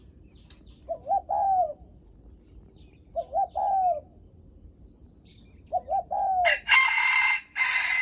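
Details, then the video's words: Spotted dove cooing in the 'greeting guests' style. Three soft, stuttering coo phrases repeat roughly every two and a half seconds, then a loud broad rattling clatter cuts in near the end. "Tiếng Chim Cu gáy khách có khách đến nhà là gù cực chất cu gáy chào khách"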